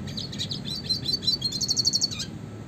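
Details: A red siskin's high twittering run quickens into a rapid, evenly pulsed buzzy trill and ends with a short downward note. Classic style, used as a master recording for training songbirds.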